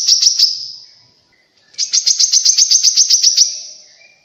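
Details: Grey-cheeked bulbul song played as a lure to prompt caged birds to sing and to attract wild birds: a fast series of bright, clipped chirps, about eight notes, then a pause and a longer run of roughly fifteen evenly repeated notes.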